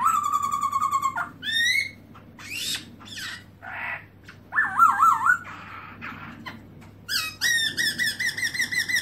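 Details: Tail-spreading black-throated laughingthrush in 2017 song: a long level whistle, upward sweeps, a pause with soft rustling, then a wavering warbled phrase and a closing series of quick repeated whistles.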